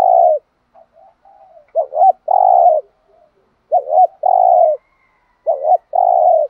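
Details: Spotted dove kept as a lure bird, bought in Dak Lak, Vietnam. It repeats a low cooing phrase three times, each a dipping double note followed by a drawn-out steady hoot, with brief soft notes in between.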